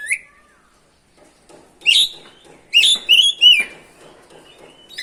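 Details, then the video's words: Oriental magpie-robin song meant to provoke other birds into singing: a brief whistle, a quiet gap, then bursts of loud, bright warbled notes with upward and downward slides. "PANCINGAN SUARA BURUNG KACER GACOR NGEROL BIKIN KACER LANGSUNG EMOSI‼️"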